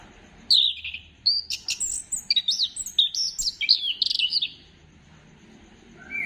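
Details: Singing orange-headed thrush, used to stimulate other birds into song, 15 December 2025: a rapid, continuous run of bright whistled and chipping notes lasting about four seconds, then a soft whistle.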